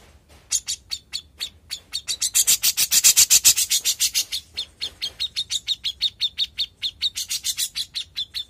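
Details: Young grey-cheeked bulbul singing in lively, energetic form: a fast series of sharp, high chirps, about four per second, swelling louder in the middle and then continuing steadily to the end.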